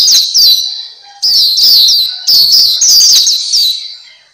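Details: Pleci Papua, or black-capped white-eye, gives short bright twittering phrases, a brief lull after the first, then three dense bursts of high slurred chirps, in a masteran tutoring recording.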